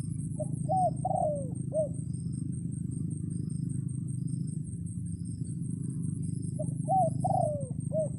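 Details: Red junglefowl decoy rooster crowing to call in wild birds during a rainy spell: two raspy four-part crows, each a short note, a rising-falling phrase, a long drawn-out slurred note and a clipped ending, over a steady low rumble.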